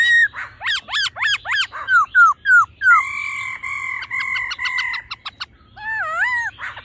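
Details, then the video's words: Female laughingthrush's 'ro' calling with the male singing old-forest voice to stir him quickly: fast loud V-shaped notes, downslurred whistles, sustained tones with crisp ticks, ending in a wavering rolling whistle. "khướu mái ro +trống hót giọng già rừng.kích trống nhanh căng lửa"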